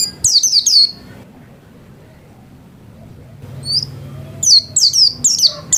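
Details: Domestic white-eye singing: an opening burst of high, falling whistled notes, then a long quiet stretch with low room hum before another quick series of sharp, high chirping notes resumes.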